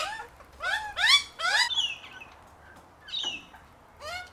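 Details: Hungry Australian magpie family feeding on unsalted peanuts in Melbourne; a quick run of rasping, upswept squawks, three close together, then softer sliding notes and one final squawk.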